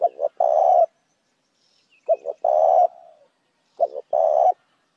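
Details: Lure call of a spotted dove. Three phrases roughly two seconds apart, each made of two quick low notes and a sustained vibrating coo; the second phrase trails off in a faint murmur.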